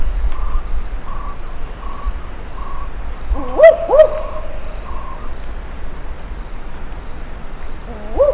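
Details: Barking owl (Ninox connivens) in the Top End, Northern Territory, Australia, giving a quick dog-like double 'wook-wook' bark, then one more bark later, over a steady high insect drone and faint distant calls.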